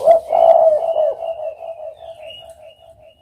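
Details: A spotted dove utters a deep, hollow coo that begins strongly and softly wavers away over three seconds, with a faint higher thin tone drifting above.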